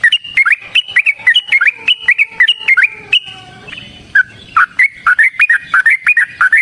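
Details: Long fighting song of a yellow-vented bulbul, with fast runs of liquid, warbling notes. A brief lower, sustained whistled passage breaks the flow before the quick bubbling phrases return.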